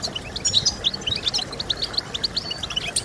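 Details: Singing European goldfinch played to encourage other goldfinches to sing: quick, sharp, liquid chirps and short slurred whistles tumbling in rapid succession, high-pitched and lively, with faint hiss underneath.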